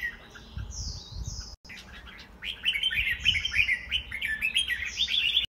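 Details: Caged white-rumped shama singing in a home contest: after a brief pause, a fast continuous run of chattering, warbled notes, with higher whistles from another bird above and low rumbling background.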